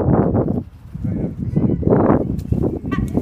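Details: Gulls fighting in Deal, Kent, UK, giving loud harsh squabbling calls in rapid bursts, some drawn-out and rising then falling, with a brief higher squeal near the end.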